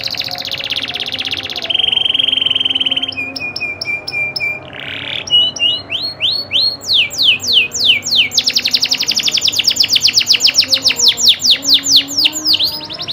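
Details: Local canary in full song, shifting between a steady buzzy tone, clipped repeated notes and fast descending whistled sweeps that build into a rapid rolling trill.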